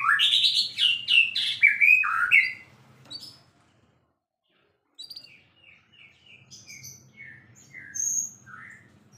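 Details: Champion white-rumped shama singing actively: a loud burst of rapid rich slurred whistles, a pause, then a softer run of repeated thin notes and high sweeps, with a faint low background hum.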